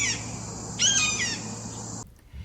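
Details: One of two red-shouldered hawks gives its loud, harsh, ringing scream, like a battle cry, before swooping at the camera operator: one strong slurred note after a brief fainter one, over a steady low hum.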